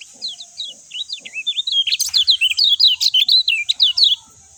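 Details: Lemon-bellied white-eye song: a few spaced high chirps, then a loud, fast run of sliding, twittering notes repeated roughly twice a second for over two seconds, over a constant high hiss.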